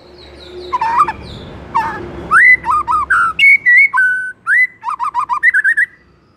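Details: White-rumped shama in full morning song, 'ngeplong' style: rich varied whistled phrases with warbled, rising and level notes, ending in quick trilled figures. A faint low hum fills the opening second.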